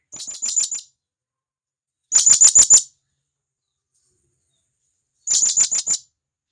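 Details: Companion call of a wild blue-crowned hanging parrot from the forest: three bursts of five to six rapid, high, piercing notes, spaced one to three seconds apart.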